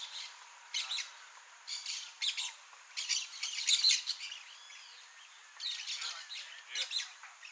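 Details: Harsh, grating screeches from a blaze-winged parakeet, given in short noisy bursts separated by brief pauses, over a constant hiss of insects or background noise.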